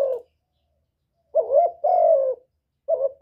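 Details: Spotted dove call used to stimulate birds, one complete phrase of a brief wavering coo and a long, even, slightly falling coo, flanked by fragments of neighbouring phrases.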